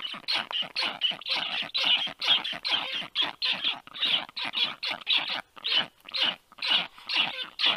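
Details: Black stork young at their nest begging briefly after a strange black stork landed above it at 1:30 p.m. on 4 July 2022: loud, harsh, raspy calls pulsing steadily about twice a second throughout.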